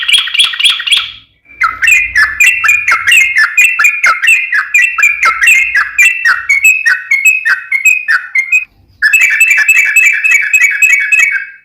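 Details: Long yellow-vented bulbul song used to lure other bulbuls into singing: continuous rapid bubbling, warbled phrases with quick rolling notes, broken by two short pauses.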